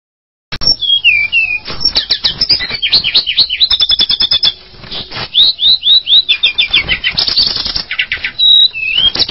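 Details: Tledekan gunung, a mountain bird: rapid sharp whistled chirps and downslurred notes, many in quick series, mixed with dense clicking ticks throughout and a short quieter pause midway.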